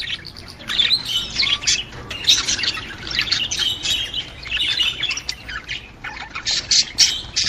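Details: Budgerigars chattering, a sound meant to stimulate a female to breed: dense, high, scratchy chirps and squawky warbles run continuously in overlapping bursts with no pauses.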